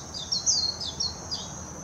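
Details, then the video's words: Warbling white-eye singing in Hashimoto, Wakayama Prefecture, Japan, on 26 June 2021, filmed with a Nikon Coolpix P900: a few high, thin, quickly descending twittered notes over a steady high insect-like hiss. "メジロ さえずり 姿 鳴き声 warbling white-eye song"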